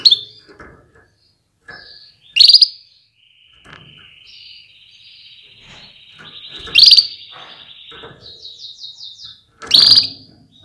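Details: Female canary call meant to urge males into readiness and full song: three piercing high chirps spaced a few seconds apart, with a soft, thin twittering trill running quietly underneath.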